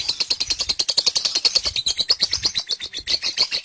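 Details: Kekean lovebird performing ngekek, a drawn-out chatter of about 30 seconds given with head raised. High, shrill clicks and chirps repeat quickly and almost evenly, a continuous rattling stream.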